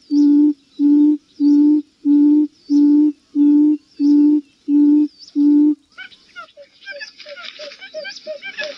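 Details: Buttonquail call used as a lure for trapping birds: nine deep, even hooted notes, each about half a second long, repeated steadily, then a burst of busy chirping and sweeping notes from other birds.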